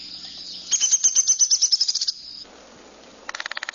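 A Downy Woodpecker gives a high, descending whinny of about a dozen quick notes, then a brief, rapid burst of drumming taps.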